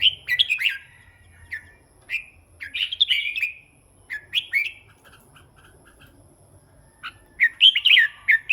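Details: Red-whiskered bulbul chattering and whistling in clustered phrases of rapid chirpy notes, a long quieter stretch in the middle, then a fresh burst of bright repeated notes near the end.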